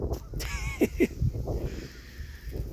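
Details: Trumpeter swans at Cones Marsh, a rural wetland, on a brisk Friday morning, 9 February 2024; two short, low honking notes about a quarter second apart, preceded by a brief higher tone, over steady low rumble and outdoor noise.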